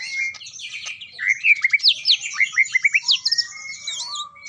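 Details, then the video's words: Champion greater green leafbird in the intense 'ngetrok' song style: varied whistled phrases that break into a fast run of about ten sharp, downslurred notes, then return to sliding whistles and high twitters. "Ngetrok Parah !! Spill Cucak Ijo Jawara"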